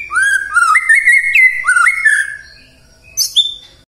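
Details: White-rumped shama morning song aimed at prompting silent shamas to sing: a flowing string of rich whistled slurs, then a pause and two short high notes.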